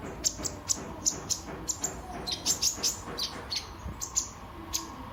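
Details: Sunbird (kolibri ninja) singing as a lure and tutor for other birds: quick, high, sharp chirps and ticks repeated unevenly, several per second, over a soft background hum.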